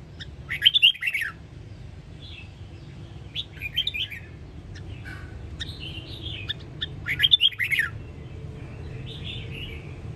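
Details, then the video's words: Red-whiskered bulbul from Sông Kon, Quảng Nam, recorded for voice training of cage birds: loud rich warbled phrases repeated roughly every three seconds, with quieter whistles between, over low steady hum. "Luyện giọng kích bổi Sông Kon học theo, ép giọng cực chất"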